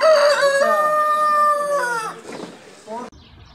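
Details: A farm rooster gives a strong, long crow that opens with a rough burst and then holds a steady, ringing note for about two seconds before trailing off, with a softer falling sound near the end.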